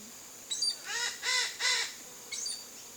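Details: Chestnut-eared aracari in a backyard in the Brazilian Cerrado: three loud, grating calls in quick succession, bracketed by thin high chirps, over a constant high-pitched insect drone.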